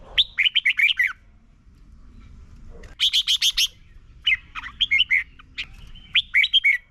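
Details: Red-whiskered bulbul from Thailand, its doubled song played to train young caged birds: bubbly bursts of five or six rapid whistled notes, one brighter higher series in the middle, phrases separated by short pauses.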